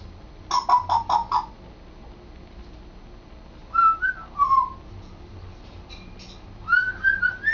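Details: Pet African grey parrot practising its talking indoors, lately beginning to form sentences: a quick run of four short buzzy pulses, then a pause before smooth whistled phrases that slide and waver around a mid pitch, with a room hum underneath.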